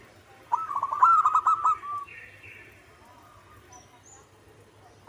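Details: Song of a local zebra dove: one quick phrase of rattling, staccato cooing notes, then a brief faint higher chirp and near silence before another phrase begins.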